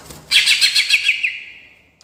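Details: Rolling-style song of a caged greater green leafbird meant to rouse other birds: a single one-second burst of fast, high, scratchy warbled notes with pulsing loudness, fading into a thin trailing whistle.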